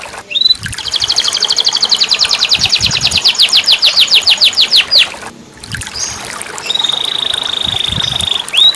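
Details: Caged canary singing, used to coax a silent bird into song: a long rapid metallic trill lasting about four seconds, a brief break, then a steady high buzzy trill ending in an upward slurred note.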